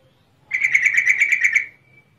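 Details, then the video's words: A female sooty-headed bulbul, recorded as bait to make males answer in song, gives a single tight series of about ten fast, clear notes that trail off into a thin fading tone. "pancingan trucukan betina"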